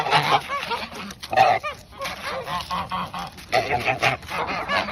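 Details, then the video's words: Geese given a treat before bedtime, a group honking together in loud nasal bursts and quick chattering calls, overlapping and uneven in rhythm. "It’s Snack Time! ( geese )"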